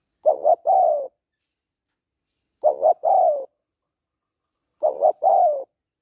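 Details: Three evenly spaced coo phrases of a female spotted dove calling to excite a male, each two short notes and a longer falling note, repeating roughly every two seconds.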